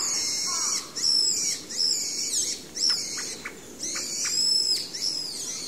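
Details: A pale thrush gives soft, high trilled 'kupipipi' calls, produced by rattling its throat, repeated several times over a few seconds against a steady hiss.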